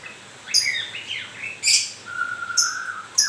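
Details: White-rumped shama in fresh moult, delivering grewek-style song: harsh buzzy bursts at 0.5 and 1.7 seconds, sliding whistled phrases between, then a long level whistle followed by further rasping notes.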